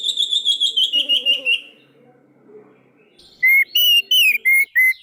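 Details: Orange-headed thrush song played to coax silent birds into song: a fast, descending buzzy trill, a quiet gap, then several loud, pure whistles sliding up and down.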